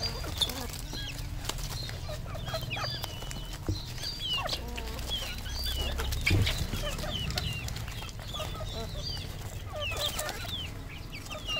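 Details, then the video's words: Red junglefowl on a farm in Cambodia: many overlapping short clucks and squeaky, wavering notes from several birds, with a steady low hum beneath throughout. "red junglefowl"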